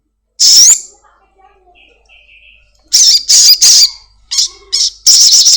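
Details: Home-kept black-winged myna used as a lure to make a caged bird sound off: one harsh high screech, a quiet gap with soft whistled traces, then a string of loud grating squawks in uneven rhythm.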